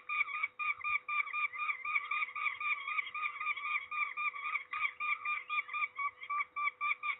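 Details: Peregrine falcon calling insistently while being ringed at Trzebież, Poland, 13 May 2019: fast, harsh, nasal notes about four per second, steady throughout.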